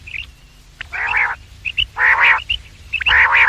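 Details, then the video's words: Morning and evening quail call for luring birds: three harsh, broad rasping notes spaced about a second apart, each led by quick high twittering pips. "The best sound of quails in the morning and evening , bater ki awaaz,batair ki awaz,Bedananing ovozi"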